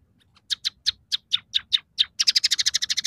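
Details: A scaly-breasted munia sings one of three song variations, mixing in borrowed sparrow, siskin and canary elements. Eight spaced, bright chirps lead into a quicker, tightly packed chattering trill.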